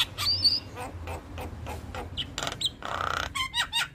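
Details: Javan myna, a vocal male, mixes high whistles, clicking pulses and a long harsh rasp in a rolling song, with a low hum underneath.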